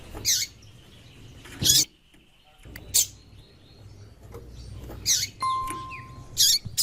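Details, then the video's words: High, sharp chips from a female white-throated seedeater calling to excite the male, five notes at irregular gaps of one to two seconds, with a faint thin whistle tone in the background. "Piado de Fêmea de Coleiro e chamando muito - esquente seu coleiro"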